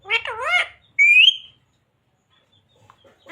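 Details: Talking green parrot repeating learned Hindi phrases such as "radhe radhe", "mithu beta" and "sita ram". A short, speech-like phrase with wavering vowel sounds is followed by a rising squeaky note, then near silence.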